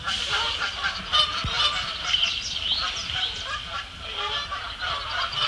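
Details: Neck-tagged Canada goose squabbling with other Canada geese near Bubbler Island, Sapsucker Woods Pond, Ithaca, New York, on 12 May 2017. Dense, overlapping nasal honks and harsh cackling calls from several geese run continuously, rising and falling in rapid bursts.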